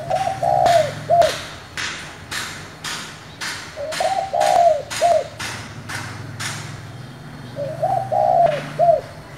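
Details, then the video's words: Three repeated coo phrases from a spotted dove with a 'giọng thổ' voice, used to provoke newly caught doves. Each is a mellow, slightly trembling rising coo with a short closing note, about every four seconds, amid steady rhythmic knocking. "Cu gáy giọng thổ gọi, thúc kích bổi nhanh nổi"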